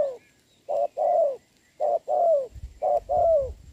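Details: Wild spotted dove answering a decoy in rain, recorded 26 November 2022; paired hollow coos, a brief note then a longer falling one, repeated about once a second, with faint low rumbling near the end.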